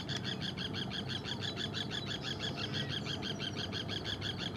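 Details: A pair of Forster's terns (Sterna forsteri), fishing and calling to each other, give short, harsh, nasal notes repeated in a quick steady stream, about three per second, over a low background rumble of wind or water.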